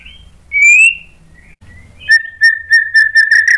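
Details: White-rumped shama song played to stimulate other shamas to sing. A loud, clean, rising slurred whistle and a short high note are followed by a steady whistled tone broken into rapid repeated pulses that speed up toward the end.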